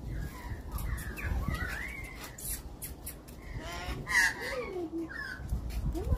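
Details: Australian magpies calling: a run of loud, slurred, warbling and gliding notes with harsh, caw-like edges, overlapping one another across the recording, over a low background rumble and broadband noise bursts.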